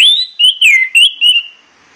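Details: Orange-headed thrush morning song, played to excite the bird into singing: a quick run of five loud, slurred whistled notes, rising and falling, fading out after about 1.5 seconds against a quiet background.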